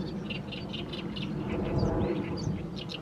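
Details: Mid-May evening, fallow rice field: an Oriental reed warbler sings continuously in the setting sun, its grating notes repeated about four per second, set against a constant low rumble.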